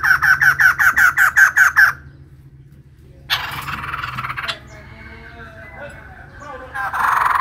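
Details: Female white-crested laughingthrush in full voice opens with eight quick, clear, evenly spaced ringing notes, followed by a short silence, then a rough noisy burst and fainter chattering.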